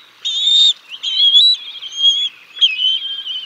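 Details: At the Decorah North nest, bald eagles call while the adult male feeds fish to the chicks, recorded by a nest cam on 6 May 2022. Three shrill, piercing whistled notes are held briefly, each slightly wavering.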